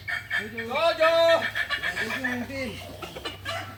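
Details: A balenggek rooster crows at contest practice in Ampang Kualo, Kota Solok: a rising then level held note, then a series of short descending stepped syllables. Faint background voices are heard, followed by counting of twenty and nineteen.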